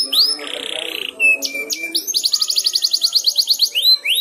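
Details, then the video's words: Canary practising 'ngeriwik' song while another canary's song draws it on: a rising whistle, a short buzzy rattle, scattered sharp notes, then a rapid even series of high chirps and closing upward sweeps. "Suara Burung Kenari Belajar Ngeriwik, manjur mantap kena pancingan suara kenari lain"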